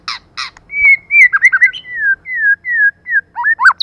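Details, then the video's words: Lure female white-rumped shama: two harsh, broadband chack notes open, followed by a run of long, level whistles and twisting slurs that rise sharply at the end. "CHOÈ LỬA MÁI.choè lửa trống + mái kích lửa"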